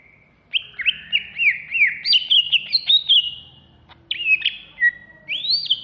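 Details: Contest-ready greater green leafbird in a cage at Jatiasih, Bekasi, Alas Purwo type, in an agitated singing bout: a run of looping whistled swoops, brief pause near four seconds, then sharp rising whistles resume.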